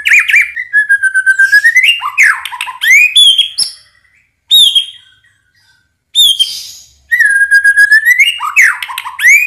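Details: White-rumped shama lure song meant to spark silent or unresponsive shamas into song: rolling whistled phrases, bright upslurs and harsh chatters, in bursts broken by brief silences.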